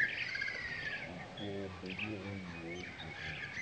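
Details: A streaked laughingthrush (Trochalopteron lineatum) at Ukhimath, Uttarakhand, India, in May 2016 gives short, high chirping notes throughout, with a low human voice talking briefly in the middle.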